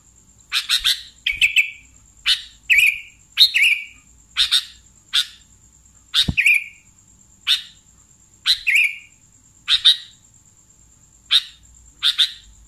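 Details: Lure recording of a sooty-headed bulbul: a long series of harsh chirps, many paired with a lower buzzy tail, repeated about once a second, with a single sharp click midway and a steady faint high tone.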